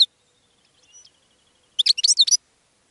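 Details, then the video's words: A faint high thin twitter gives way to one short, loud goldfinch burst of rapid sharp chirps. "GOLDFINCH SONG to ATTRACT Other Birds"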